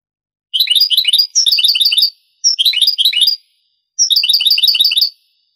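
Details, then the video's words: Old Spanish recording of a European goldfinch in the Granada song style, dating to the 1980s–90s: four crisp, rapid twittering phrases of jingling, high notes with brief pauses between them. "CD ANTIGUO DEL CANTO DEL JILGUERO Años 80-90 شريط تغريد إسباني قديم"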